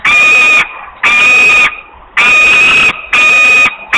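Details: Osprey screaming for food at Włocławek, Poland, on 8 August 2021 shortly before it finally flies: a series of long, piercing, flat screams, each near half a second, separated by brief pauses.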